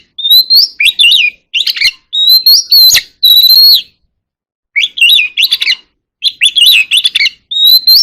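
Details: Oriental magpie-robin in contest singing, called kacer alam, giving bright, varied whistled phrases with rising slurred notes and chattering bursts, broken by short pauses and a longer gap midway.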